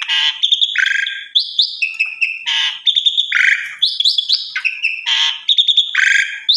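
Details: Asian pied starling (jalak suren) pouring out a dense, varied song for training other starlings: harsh grating bursts alternating with short whistled notes and lower nasal phrases, continuous for several seconds.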